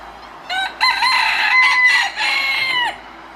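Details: A rooster crows in a broken series of strained, rising and sustained notes, ending with a falling tail, over a quiet background.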